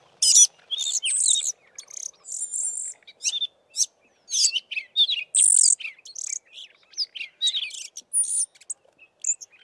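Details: Several Fiscal Flycatchers, at least four, singing with tails fanned in a valley near Committees Drift; dense run of high chirps, twitters and brief whistles in quick succession, with a little mimicry resembling sparrow chirps.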